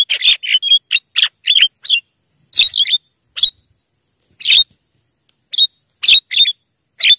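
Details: Javan myna calling to attract wild mynas: quick runs of harsh, squawky chattering notes at the start, then scattered single rasping chirps with longer silent gaps, on a clean background.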